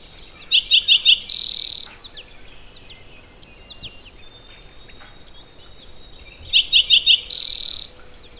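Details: Eastern Towhee recorded at Maxwell Game Preserve, song remembered as 'drink your tea': two high phrases, each a quick run of three or four short notes then a long buzzy trill, about six seconds apart, over faint background birds.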